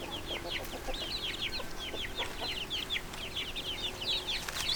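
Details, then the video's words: Flock of chicks cheeping steadily, high bright downslurred peeps tumbling over each other almost continuously, with a faint steady hum in the background. "LITTLE CHICKENS CHIRPING NOISE"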